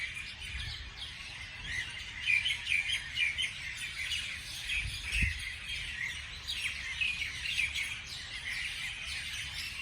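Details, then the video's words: Morning chorus of birds: high chirps and trilled twitters repeat in overlapping bursts, over steady soft background noise and a single low thud near the middle. "美丽的早上美丽的鸟的鸣叫beautiful morning beautiful birds chirping sounds calls"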